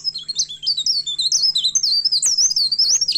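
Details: Agitated myna in full song, looking for a rival, delivers a rapid unbroken chain of bright, looping whistles that swoop up and down, each note bending sharply, over a constant low electrical hum.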